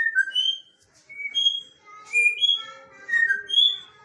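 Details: Bonded pair of pet African grey parrots making varied whistled notes, some rising and some falling, in short bursts with brief pauses, indoors.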